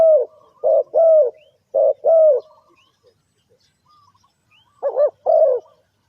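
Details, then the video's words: Trap-lure call of a spotted dove: soft two- and three-note coo phrases, a longer falling note ending each, with a quiet gap in the middle before cooing resumes. "The Suara Tekukur"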